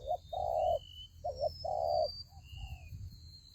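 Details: Ground-decoy fighting trap for spotted doves: two strong coo phrases, each a short wavering note then a long level coo, followed by faint distant coos and a thin high whistle, over low rumble.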